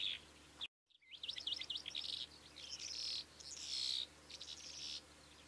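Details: Calandra lark (Melanocorypha calandra) song after a brief dropout: a fast jumble of trilled, buzzy and whistled notes running almost without a break.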